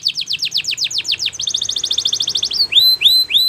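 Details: Training song from a Spanish Timbrado canary: repeated descending sweeps, a quick metallic pulsed trill, then several loud, clear upward-curving whistles.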